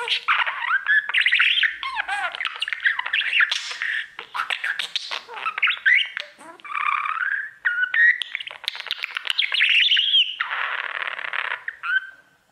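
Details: Budgerigar, a pet male, singing to his mirror: sustained chatter of squeaks, clicks, bent whistles and buzzy rasps, varied and restless, ending in a short quiet moment.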